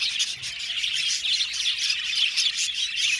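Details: Many budgerigars chirping together in an aviary, a bright, pulsing stream of high twittering notes with rapid squeaky chirps and no pauses.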